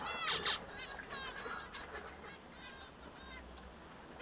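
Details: A male Bengalese finch opens with a loud, harsh buzzy note, then several softer nasal, harmonic notes that fade toward the end.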